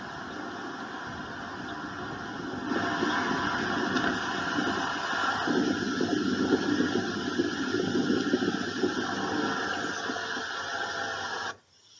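Steady broadband mechanical rumble, like a passing train or engine, fills the whole recording and cuts off abruptly near the end, with no animal calls.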